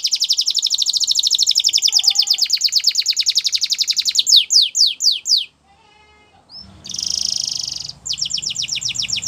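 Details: Canary holding a long, very rapid, buzzy trill for about four seconds, then a few sharp falling notes, a brief pause and another dense trill.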